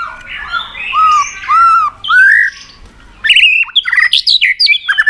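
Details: White-rumped shama pushed into fighting song: a few mellow, slurred whistles, then a dense fast burst of sharp, chattering high notes.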